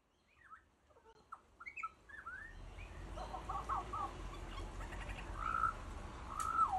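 A butcherbird sings short, clear, fluty whistles, some rising and some falling, about one a second. A steady low rumble grows underneath.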